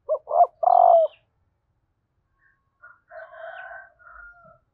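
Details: Female spotted dove calling to stimulate males: a loud low cooing phrase of two short notes and one longer drawn-out note, then quieter, higher chattering and burry notes after a pause.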